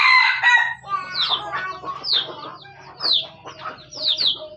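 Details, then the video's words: Junglefowl from Aceh used as a decoy: a loud harsh burst at the start, then spaced high downslurred chirps over a faint low humming background. "Ayam Hutan Aceh"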